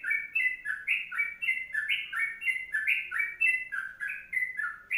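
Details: Loud, clear kongslet song of a sooty-headed bulbul recorded as a tutor: fast rolling whistled couplets, about three each second, flowing continuously, with faint high ticks above.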